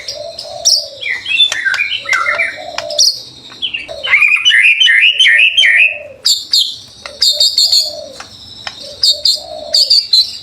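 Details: Vigorous white-rumped shama song, used as a stimulus for other shamas: bright warbled whistles and high sustained notes mixed with sharp clicks, with a low droning note recurring between phrases.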